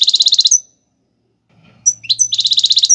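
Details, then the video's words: Royal goldfinch delivering tiwawati galoubi and serfati song to teach young birds: a rapid metallic trill, a pause, a thin high whistle and a twitter, then another fast even trill over a low hum. "حسون تيواواطي قالوبي + سرفاتي , تغريد"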